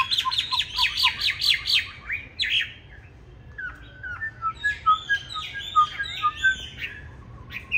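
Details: Chinese hwamei with green-bean eyes in fighting song, used to train hwamei to sing smoothly: a fast rattling series of repeated notes, a pause, then clear varied whistles and short looping phrases.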